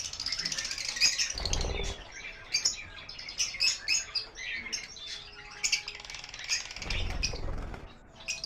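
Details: Farmed lovebirds, including lutino and Fischer's, chattering as a group: dense shrill chirps and scratchy squawks in uneven bursts, with two low rumbling thumps and some wing flutter.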